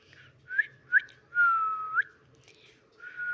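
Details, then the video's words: Pet parakeet imitating talk: clipped whistled syllables, then a long, level, slightly falling tone that ends in an upward flick. A final sustained whistle follows after a pause, in a quiet room. "অসাধারণ কথা বলা টিয়া পাখি"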